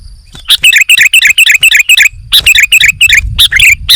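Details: Sooty-headed bulbul in full, active song as a training recording: fast, bright chattering notes repeated about four times a second in two long runs separated by a short gap.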